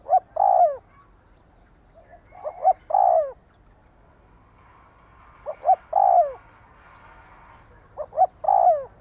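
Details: {'caption': 'Spotted dove cooing meant to stimulate a decoy bird: three phrases, each two or three short rising notes followed by a drawn-out downward-sliding coo, spaced about every three seconds against a quiet background.'}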